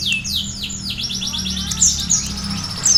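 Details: Sunbird singing with canary phrases in its song; descending whistled sweeps and a fast high trill sound over a steady low background hum.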